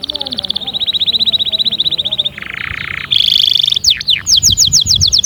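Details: Canary in full song: a fast trill, a lower buzzy roll, a short bright rattle, then rapid descending whistles and clipped repeated notes, each phrase switching abruptly to the next.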